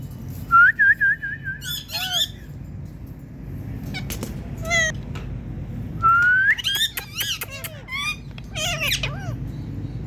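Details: A pet Indian ringneck parakeet making talking sounds: clear whistled notes, quick chirpy squeaks and warbling fragments scattered over ten seconds, with a low background hum.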